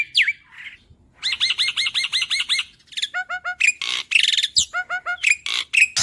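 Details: Caged young black-winged starling, an Indonesian endemic known for mimicry, singing loudly: a slurred whistle, a run of eight repeated ringing two-toned notes, then rapid descending chirp groups alternating with harsh rasping squawks.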